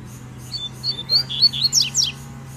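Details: Wild Double-collared seedeater in the bush singing a territorial challenge: a rapid, bright phrase of whistled slurred notes climbing in pitch, ending in sharp descending sweeps, over a faint low hum.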